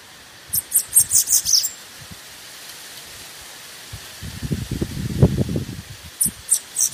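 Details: Bananaquit song played to excite birds: a short burst of high, thin, rapid notes, a pause filled with rustling and a low noise, then another brief burst of high notes.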